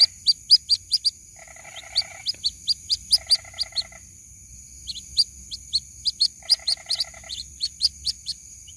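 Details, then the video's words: White-breasted waterhen chick calling its mother, a recording meant for luring. Fast runs of short, high peeps alternate with brief buzzy, nasal bursts. A steady high-pitched whine runs throughout. "SUARA ASLI PIKAT ANAK BURUNG RUAK RUAK MEMANGGIL INDUKNYA"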